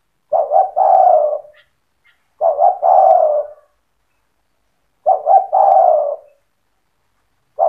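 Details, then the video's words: Spotted dove in cetretan style, its song meant to rouse other doves into singing: repeated low mellow coo phrases, two quick notes then a long wavering coo, returning every two to three seconds in near silence. "Suara burung tekukur gacor cetretan bikin deruk tekukur derkuku balam lain emosi ikut bunyi"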